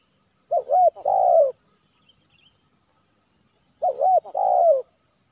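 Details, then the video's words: Spotted dove (tekukur) at a decoy trapping session in Silaban village targeting a kuk 3 male; two identical loud phrases about three seconds apart, each a quick hooked note followed by a long falling coo, with silence between. "Target Kuk 3 - Tekukur Hiburan"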